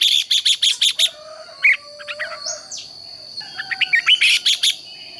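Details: Red-whiskered bulbul competition song from morning training: rapid, rattling runs of sharp notes open and close the passage, with scattered whistled slurs between and a faint steady high tone in the background.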